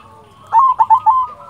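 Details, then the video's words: Brief phrase from a local silver zebra dove: a steady soft coo tone broken by four loud, quick cooing notes, then fading back to a quiet held tone. "Perkutut silver gacor"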